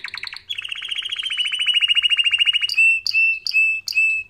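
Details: Canary training song: a quick chattering trill sliding into a long, even rolling trill, then four separate ringing whistled notes spaced about half a second apart.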